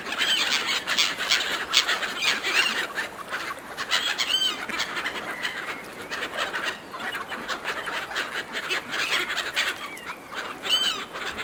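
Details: A crowd of seagulls fighting over food handed out by a person, giving a dense, continuous chorus of shrill, wavering squeals and yelps. Loud bursts from several birds overlap throughout, with constant noise beneath.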